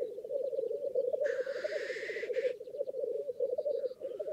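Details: Black grouse at a lek in northern England: a continuous low, dove-like bubbling rookoo, broken once by a loud, sneezing hiss of about a second.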